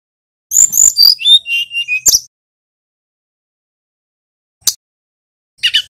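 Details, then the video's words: Young male brown-chested jungle flycatcher from Bali, still learning its song. A quick series of high, clear whistled notes stepping downward in pitch, then silence broken by two brief, scratchy high bursts. "Burung SRDC bali belajar bunyi"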